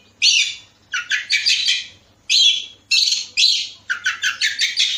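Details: Kacer, the Oriental magpie-robin, singing a Bekasi lure track used to set other birds singing: loud rasping, buzzy phrases in rapid series, some stuttered into five or six quick pulses, with brief whistled accents.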